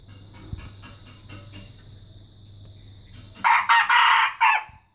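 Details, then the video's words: Steady high insect drone and faint clucks lead into a sudden loud crow from a growing young red junglefowl practising its call, delivered as about four rough, harsh segments near the end. "Lagak Anak Muda Belajar Berkokok"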